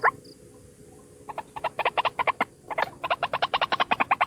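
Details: One white-breasted waterhen lure call: after a quiet start with a single thin note, bursts of quick harsh croaks follow, separated by a short pause.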